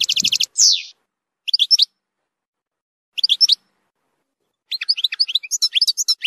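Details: A European goldfinch sings bright, tinkling twitters in short bursts separated by pauses, then a longer rapid liquid run; a strong song played for young goldfinches to learn from.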